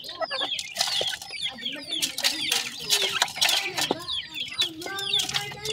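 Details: New grey francolin chicks calling in bright, high, downslurred peeps and a few longer level notes, amid frequent rustling and fluttering noise.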